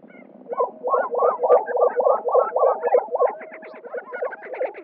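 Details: Lesser Prairie-Chicken males gathered on a lek in New Mexico in spring, displaying to females. Gobbling, rolling notes repeat about three times a second, with higher clucks and cackles layered behind from other birds.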